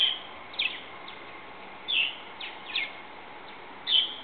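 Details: Purple martins, young old enough to leave their nest in a backyard bird house, give short, bright, high, slightly buzzy chirps in uneven bursts about every half second to two seconds over faint hiss.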